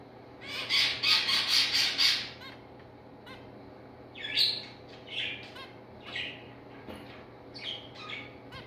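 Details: Zebra finch adult and chicks together: a loud, rapid burst of harsh high notes lasting over a second, then scattered shorter squeaky calls, against a faint steady hum.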